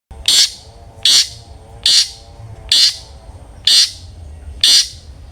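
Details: Long-tailed shrike in the vigorous 'ngeplong' singing style, used as a lure to get other shrikes singing: six harsh, rasping bursts about once per second, loud and evenly spaced, over a quiet background.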